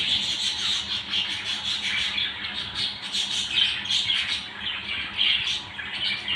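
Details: Budgerigars in a family group keep up a steady, bright twittering, with rapid squeaky notes and short buzzy chirps layered over one another throughout.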